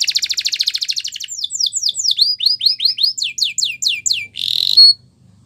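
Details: Canary singing Spanish Timbrado training song: a rapid rattling trill gives way to a slow series of looping, sweeping slurred whistles, closing with a short intense buzzy roll.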